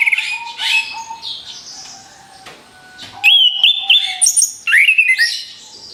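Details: Orange-headed thrush song used as a lure for other birds: a varied, rapid medley of whistled and chattering phrases, high sharp notes and rising slurs, with a low steady whistle tone underneath and quieter stretches between bursts.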